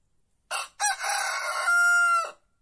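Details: One full cock-a-doodle-doo from a white rooster: a short hoarse start, then a long note, grainy at first and then smooth and level, about two seconds, ending abruptly in quiet surroundings.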